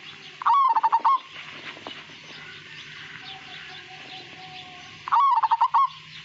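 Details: Majapahit-type zebra dove song, said to be sweet and lacking a long "kung" ending: two brief bursts of quick pulsed cooing notes several seconds apart, with a quiet low hum and soft background noise between.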